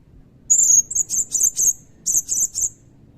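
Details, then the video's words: A thin, high, drawn-out whistle from a Blue-crowned hanging parrot in loud cililin-style song, followed by a string of sharp, high chips in two short bursts. "Burung Serindit Gacor Nembak Isian Cililin Panjang"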